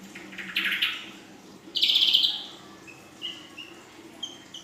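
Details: Young female ashy drongo in full isian song, which features nembak panjang and belalang emas phrases: two harsh rasping bursts about a second apart, followed by several short, clear whistled notes at varying pitch.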